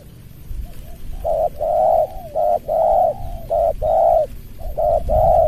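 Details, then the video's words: Spotted dove in a lure contest against a rival bird, singing the close-set 'suara rapat ngeruk' style; after a soft start, strong hollow coos come in short-long pairs repeated steadily, with low background rumble. "Banggo VS BL suara rapat ngeruk"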